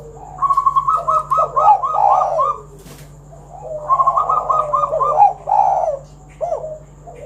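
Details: Spotted dove singing to invite other doves to call: rapid stuttering run of short notes melting into low, rolling coos, repeated twice, with one loud click.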